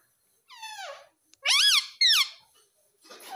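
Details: Baby ringneck parrot at home: a falling rasp, then two loud hoarse squawks in quick succession, each climbing and dropping in pitch. A short noisy burst closes.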